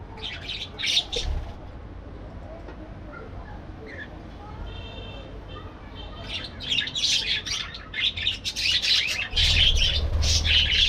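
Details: A few parakeet chirps, then a quieter stretch with faint tonal notes, building into loud, rapid overlapping chatter and a low rumble near the end.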